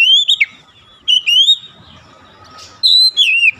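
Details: Oriental magpie-robin song played to provoke rivals: three clear whistled phrases, each a sustained slurred note that wavers and drops, separated by short pauses over a soft hum.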